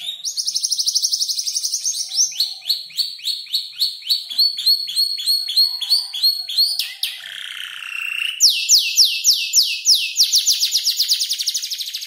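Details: Five-month-old canary still learning to arrange its song, mimicking tutor birds such as ciblek, klik-klik and prenjak lumut; fast repeated high trills and rattles, a sliding buzzy note near the middle, then rapid descending whistled notes.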